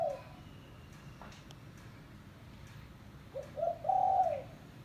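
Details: Lure call of a village spotted dove: after a quiet pause, two short soft notes lead into one long, low, slightly descending coo.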